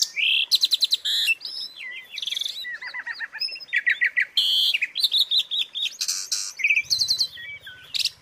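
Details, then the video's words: Asian pied starling (jalak suren) filler song for training captive birds: rapid, varied bright whistles, rising sweeps and clipped buzzy notes packed into dense bursts, with a faint low rumble near the end. "suara isian untuk masteran jalak suren"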